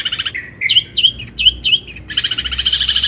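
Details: Long-tailed shrike in full song, used to provoke other shrikes into singing: varied whistled and buzzy notes, a run of rising slurred phrases, ending in a dense harsh chatter.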